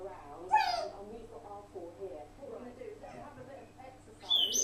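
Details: A pet African grey parrot, alone in the room with the camera left running, mumbles low, conversational speech-like babble, broken by a sharp whistle near the start and a rising whistle at the end.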